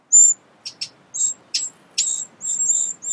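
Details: Eurasian wren family at a large nest under a garden pavilion, sheltered from wind and rain, giving high, thin squeaky chirps, about eight short notes in three seconds at an uneven pace, against quiet background.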